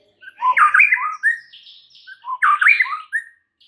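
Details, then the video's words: White-rumped shama (murai batu) singing its full 'isian' filler repertoire, used to prompt a shama that has stopped singing: two bursts of rich, slurred warbling phrases with squawky notes, separated by a brief pause. "Murai Batu FULL BONGKAR ISIAN , sangat EFEKTIF untuk PANCING Murai Batu anda yang MACET"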